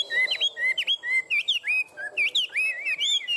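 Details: Chinese hwamei, one of a tame caged pair, in fighting song; loud clear whistled notes, sharply rising and falling slurs and quick twisting trills, given in rapid bursts about every third of a second.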